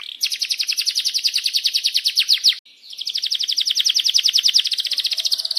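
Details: Canary singing as a lure to prompt other canaries to sing: two long, very fast rolling trills of high, even notes, broken by a short pause near the middle.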